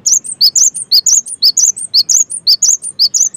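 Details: Cinereous tit song used as a lure for other tits: continuous high, sharply chirped three-note phrases, repeated evenly about twice a second throughout.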